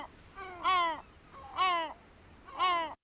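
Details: A Great Black-backed Gull, a year-round breeder in New York City, gives three deep, hoarse calls about a second apart, lower than a herring gull's and almost human-sounding, each a rich nasal note dipping at the end.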